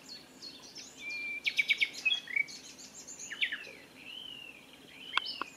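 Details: Nightingale singing from dense scrub near the Wiekense Gat on 22 May 2022; quieter, varied phrases of short rattles, slurred whistles rising and falling, and a sharp final note, against steady background noise.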